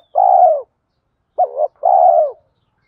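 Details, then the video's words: Spotted dove coo used for stimulating doves in training, said to include male and female birds. A long, soft, hollow coo is followed by a brief wavering double note and a second drawn-out mellow coo. "Tiếng chim cu gáy THÚC GÙ Gáy Gọi"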